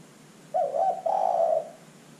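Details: Zebra dove calling, used to lure other birds into calling: one phrase of wobbling, stuttered notes followed by a smooth, trilling coo of about half a second.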